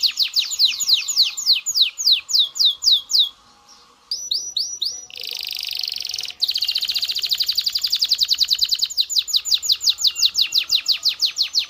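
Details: Canary song for stimulating mating in males and females. A series of loud descending whistled sweeps, a brief pause, then rising slurred notes, a buzzy burst and a long, even, rapid roll of repeated clicks.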